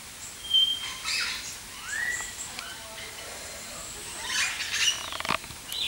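Busy, high chattering of a weaver: sizzling buzzes, short chips and a brief rising whistle, with pauses between bursts.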